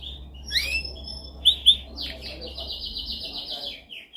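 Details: Dominant canary song for training: scattered high chirps and two sharp loud notes, then a buzzy pulsed trill running steadily for more than a second before a final short note.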